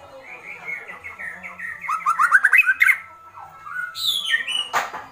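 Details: Agitated White-rumped shama giving kretekan: a run of short falling whistled notes that quickens into rising slurred phrases, then a pause and a few loud harsh rasping bursts near the end.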